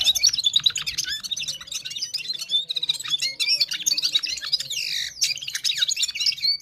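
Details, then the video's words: A Gulsar from Parachinar in the Himalayas sings at full power: a loud, rapid, unbroken run of bright high chirps, twitters and quick slurred whistles, with one clear downward sweep near the end. "Gulsar singing"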